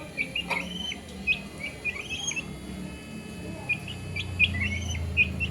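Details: Baby chicken chicks peeping: short high whistled chirps, many rising then falling or flat, scattered in quick bursts over a low background hum, with a brief click near the start.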